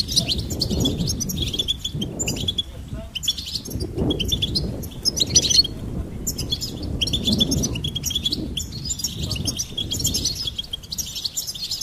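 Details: Rapid high twittering goldfinch song, phrases of jingling chirps repeating every second or two over a constant low hum.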